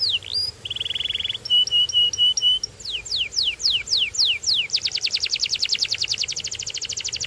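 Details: Canary song in changing tours: a brief rising note, a buzzy rolled trill, a run of short flat whistles, then swooping downward slides, ending in a very rapid, even high trill.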